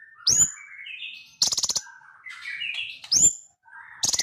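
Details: A sunbird sings a lively mix of sharp upward-whipping notes, thin high wavering warbles and short dry buzzy rattles, alternating quickly with no background noise.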